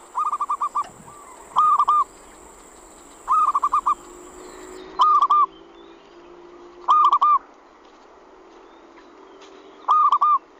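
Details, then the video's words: Zebra dove lure call, used to draw wild birds in and make them answer: short trilled, rolling coo bursts repeated every one to two seconds over a steady background hiss and a thin high whine. "suara pikat burung perkutut cepat datang dan nyaut"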